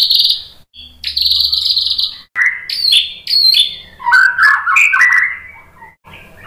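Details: White-rumped shama in full, vigorous song used to provoke other shamas into singing: a loud, varied run of high whistled phrases, buzzy trills and rapid chattering notes, sliding lower toward the end, with short pauses between phrases.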